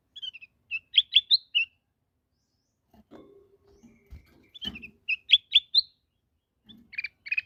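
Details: Black-headed bulbul singing short phrases of quick, sweet whistled notes that rise and fall. A pause filled with low clunking and rustling separates two phrase bursts, and a few more notes close the passage.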